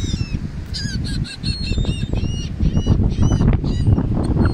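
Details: Flock of wild gulls overhead during feeding at the beach in Atlantic City, New Jersey, USA; rapid overlapping squealing and mewing calls, about two per second, from several birds over heavy wind and wave noise.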